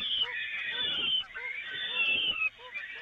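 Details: Peregrine falcons feeding from the Evoluon nest grating in May 2018: two drawn-out, scratchy wails, the second slightly rising, while soft low chirps repeat faintly in the background.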